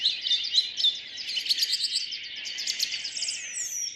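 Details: Birdsong at dawn in a city park in Rheine, early morning in May 2011, four-track recording mixed to stereo: dense overlapping chirps, trills and whistled phrases from several birds, fast rapid notes and a high rising whistle near the end.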